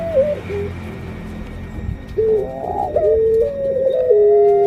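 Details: Female puter pelung dove ready to lay eggs coos in stepped, level tones that jump up and down in pitch over a steady low hum.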